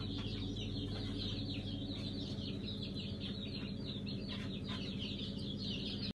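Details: A crowd of Brahma chicks just hatched in a hatchery on 5 August 2019, at Kurban Bayramı, keeps up constant shrill peeping, rapid and uneven, beneath which a low hum of equipment runs throughout.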